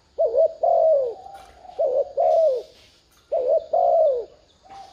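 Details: Spotted dove cooing as a decoy to lure wild doves, which are said to coo back at once: three groups of deep, rounded coos, each a short note then a longer wavering one, spaced about one and a half seconds apart.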